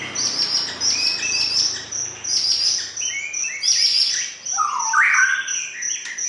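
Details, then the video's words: Clear, melodious white-rumped shama (murai batu) song used to prompt caged birds: varied high trills and whistled phrases, ending in a lower rich slurred whistle, with a steady shrill buzz behind. "Kicau Murai Batu Paling Jernih dan Merdu!"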